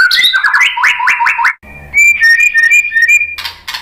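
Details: White-rumped shama song used to incite other shamas: a quick series of rising slurred whistles repeated five times, then a short break and a twittering high phrase of sweet notes.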